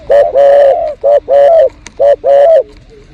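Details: Spotted dove (terkukur) recorded behind house plants during luring: loud, mellow cooing in paired phrases, a short coo then a longer drawn-out one, repeated three times, with a brief click between phrases.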